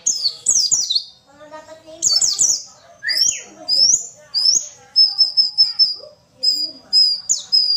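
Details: Female white-eye voice played to prompt males to sing; bursts of sharp, high chirps and squeaky slurred notes, ending in a run of clipped, evenly repeated thin whistles, with faint lower chattering beneath.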